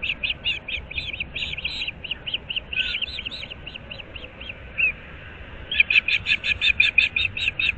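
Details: Nesting ospreys, an experienced pair of about seven years in their fifth breeding year, call at dawn in Naples, Florida: steady high chirps, a brief pause, then a louder, faster run of ringing whistles.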